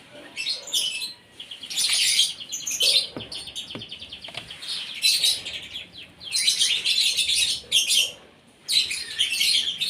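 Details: Asian pied starling singing at its morning breakfast, fed to encourage lively song; repeated loud bursts of harsh, scratchy jumbled notes alternate with softer rapid ticking and thin whistles, along with a few sharp knocks.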